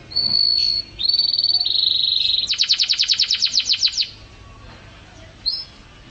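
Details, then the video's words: Canary singing as a tutor song for songbirds: a steady high whistle, then buzzy trills, then a rapid series of about fifteen repeated sweeping notes before a pause and one short whistle. "Suara Burung Kenari"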